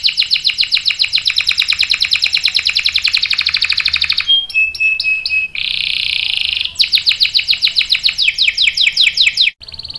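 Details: Canary in full song, a long trilling roll: rapid repeated notes for four seconds, then clear whistled notes, a dense buzzy trill, and more quick descending notes, all high-pitched with nothing else heard.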